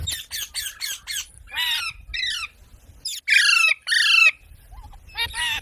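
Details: Parrot, named mitthu, uttering a run of short harsh squawks, then longer raspy screeches in two loud bursts, with a final squawk at the end.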